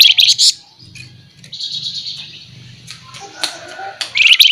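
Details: Flamboyan singing a tutoring song with sharp 'nyerecet' bursts: short, shrill, buzzy high trills open and close the passage, with a softer sustained high whistle-like note and a low hum in between.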